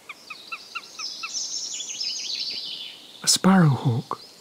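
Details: In summer woods in the British countryside, heard while waiting for badgers, a sparrowhawk, probably the female collecting nest twigs, gives a quick series of thin, evenly spaced notes, about four a second, then higher slurred notes, before a man's voice cuts in.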